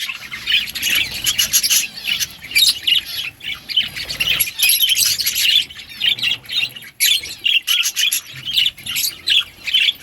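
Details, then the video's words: Budgerigars eating green food keep up a lively stream of short, sharp chirps and squawky twitters, repeated in quick uneven pulses throughout. "Budgies eating green food birds favorite food"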